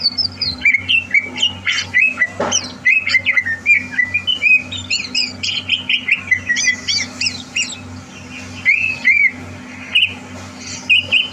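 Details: Caged greater green leafbird, a future champion being readied for a singing contest, recorded 30 November 2022: a rich, varied song of quick chirps, trills and slurred whistles, with short rising and falling phrases over a steady low hum.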